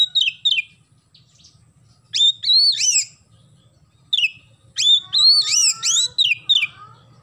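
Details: Oriental magpie-robin in vigorous song with house-sparrow chirps mixed in. Clusters of loud, piercing upslurred notes come in rapid runs of four to seven, separated by short quiet gaps over a low steady hum.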